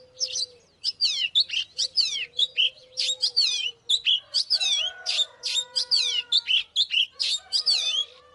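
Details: Oriental magpie-robin, likely a caged bird, singing in a fighting context: rapid bursts of loud whistled, sweeping notes, several per second, over a steady low hum and a faint lower tone.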